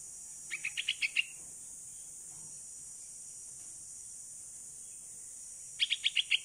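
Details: Young hand-reared bulbul, called Pulangga, sixteen days old, practising flight outdoors and calling for its mother. A rapid burst of five or six high chirps opens, silence follows, then another fast run closes, with steady background hiss.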